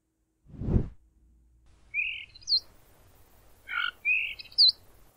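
A starling's song: slurred high whistles, one sharp upward flick repeated twice, and a harsh buzzy note in between, after a single dull low thump.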